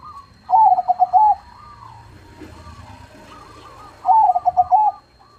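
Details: Crossing zebra dove (perkutut) with a big voice gives two loud pulsed coo phrases about three and a half seconds apart, with soft trilled cooing and a low hum between them.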